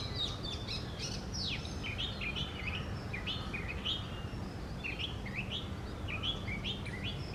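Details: Oriental magpie-robin singing on a tree, a song likened to a vehicle whistle: a run of varied, sweet whistled phrases rising and falling, about one a second, over a steady low background rumble.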